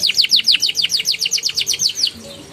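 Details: Canary song for prompting young canaries: a steady series of about six fast downward-slurred whistles per second, fading out at the end.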